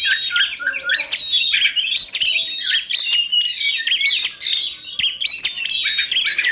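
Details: Continuous gacor singing by a bird from a kacer, tledekan gunung and prenjak masteran compilation. Rapid repeated chips open into varied whistled phrases and warbles, delivered almost without a break.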